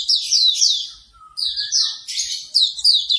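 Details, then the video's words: Hume's white-eye morning therapy song aimed at getting a bird to sing: a continuous run of high, sweeping downslurred notes with a faint lower whistle in the middle. "MP3 terapi pagi auriventer agar cepat Buka paruh"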